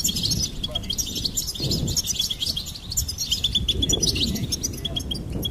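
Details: Goldfinch delivering fast, sparkling twitters and trills almost without pause, accompanied by a noticeable low rumbling background.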